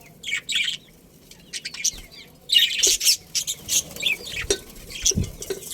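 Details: Budgerigars, a breeding pair from a colony, give rapid, buzzy, high chirps and warbled chatter in irregular bursts, with occasional low knocks.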